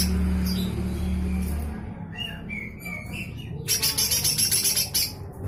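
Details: Lesser green leafbird in full harsh chattering song, used as tutoring material for other cage birds. Low humming opens, then scattered whistled notes lead into a run of loud, rapid rasping bursts.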